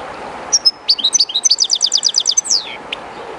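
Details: Riverside song from a captive European goldfinch near the Jerte River's flowing water, slightly timid in the new place: bright jingling notes, then a rhythmic string of about ten fast repeated twitters and a falling slurred ending, faint water noise behind.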